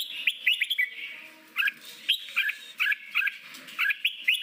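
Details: A red-whiskered bulbul sings forest-voice phrases meant to train newly caught bulbuls for singing contests: short paired whistles, upslurred and crisp, repeated at steady intervals after an opening warbled run, faint low hum behind.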